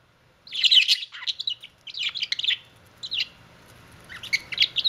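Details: Budgie kissing, producing bursts of squeaky, scratchy warbling notes with short gaps between phrases and a faint low hum beneath.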